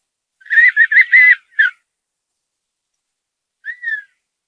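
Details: Male Redhead duck calling to its female mate while swimming, a quiet whistling display and mating call: a rapid burst of four or five short whistled notes, a pause, then one softer falling whistle.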